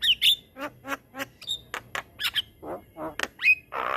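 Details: Javan myna singing a long rolling song used as a master for other mynas: grating squawks, lower croaking notes and brief whistled slides in irregular order, ending in a broad rasp.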